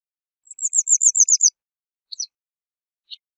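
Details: Western yellow wagtail giving a quick run of about ten very high, thin, slightly descending notes lasting one second. Two brief sharp chirps and one last single high note follow, with a quiet, clean background.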